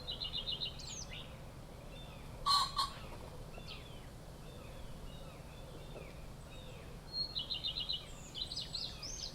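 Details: A male common pheasant, after a dust bath in a garden in southern Sweden on 29 August 2015, gives its loud, harsh two-note territorial crow, notes a fraction of a second apart; small birds chirp in rapid series before and after, over a low hum.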